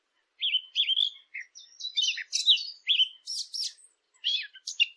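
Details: Bird chirping in lively phrases that mix clear, sliding whistles with scratchy, high chirps, arranged in clusters separated by brief pauses and set against complete quiet.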